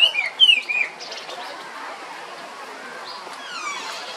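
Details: Chinese hwamei (melodious laughingthrush) at San Diego Zoo Safari Park, California, singing sweet notes: a quick burst of loud, clear, slurred whistles in the first second, then fainter whistled and chirping phrases over a soft background hiss.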